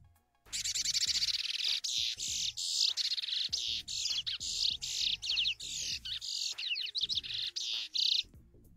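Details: Chestnut-bellied seed finch (curió) performing a serrada mateira phrase, replayed from a recording: rapid series of bright, buzzy, sawing notes high in pitch, grouped in short bursts with brief gaps, continuing for about eight seconds.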